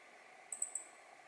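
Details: A Meadow Bunting, digiscoped in mid-November 2020, gives three thin, very high, sharp ticks in quick succession, under steady background hiss.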